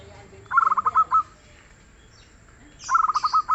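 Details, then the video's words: Zebra dove of local stock, described as soft-voiced and singing often: two brief trains of quick cooing notes, each ending in slightly longer beats, with faint high chirps near the end. "SUARA BURUNG PERKUTUT LOKAL YANG GACOR DAN EMPUK"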